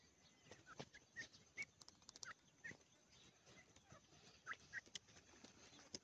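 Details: Grey francolin with chicks: short, thin, high peeps scattered irregularly, some in quick pairs, among frequent dry scratching and tapping clicks.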